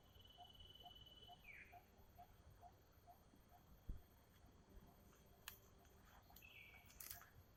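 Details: Wild common iora, one of a family of about four near a river: a high sustained whistle that bends sharply downward. A similar falling whistle follows about five seconds later. Soft regular ticking, a few thumps and clicks are in the background.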